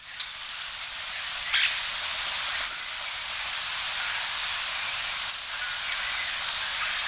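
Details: Japanese waxwing uttering shrill, sibilant trilled calls, a close pair at the start followed by single trills spaced about two and a half seconds apart, softer high notes in between.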